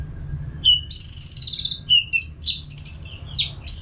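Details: Continuous song of an Orange-headed thrush from North Bali, played to coax caged birds into singing. Loud high warbled phrases alternate with lower whistled notes in a busy, varied stream over a faint hum.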